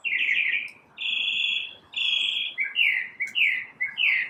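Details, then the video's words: Morning song from one unidentified bird: sustained level whistles nearly a second long, followed by quicker sliding, warbled notes, with little other sound. "Birds chirping | Bird chirping sounds | Bird singing | Morning bird sounds"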